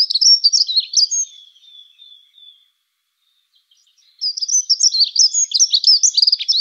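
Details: Dunnock song: a quick, high jingling warble of about a second, a thin fading trill, a pause, then a second bright tumbling phrase on clean, quiet ground.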